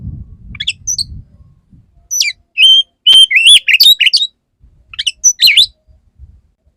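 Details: Male Oriental magpie-robin singing to court a female: scattered high whistles and sweet slurred phrases in short bursts, with low rumbling noise at the start.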